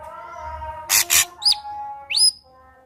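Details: Two harsh rasps and a pair of thin, sharply rising whistles from an ashy drongo, a lure recording played to make another ashy drongo sing, over faint low hum.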